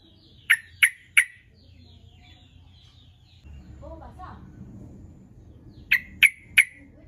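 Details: Sooty-headed bulbul used as a lure to call rival birds: two bursts of three sharp, clipped 'cuk' notes about a third of a second apart, separated by a quieter stretch with faint lower chirps and low background rumble.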